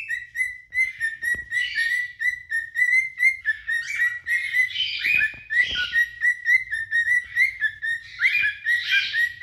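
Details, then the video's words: Two adult cinnamon cockatiels singing to each other to attract a mate: repeated whistled notes near one pitch, broken by bursts of richer warbling and chattering phrases, steady and lively throughout. "آواز خواندن دوتا عروس هلندی عاشق"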